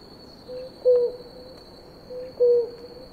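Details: A pair of blue ground doves drinking water give soft, low, hollow hoots, a quieter note then a stronger one about every one and a half seconds, over a steady thin high insect whine.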